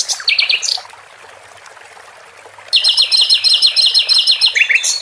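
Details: Sikatan londo flycatcher kept in a cage, recorded with trickling water: a short burst of high chattering notes, a pause, then a longer run of quick, bright trilled phrases.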